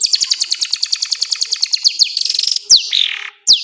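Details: Long-tailed shrike singing a full-repertoire training song: a fast, even series of high chirps repeated about six per second, then a few sharp downslurred whistles separated by short pauses.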